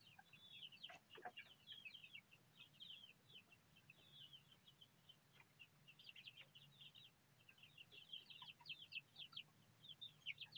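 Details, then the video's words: Four captive Bangkok game chicks, 1 month 26 days old, hatched on 26 September 2013 from a second hen: thin, high peeps overlapping in quick runs over a steady low hum. "Anak Ayam Bangkok Umur 1 Bulan 26 Hari"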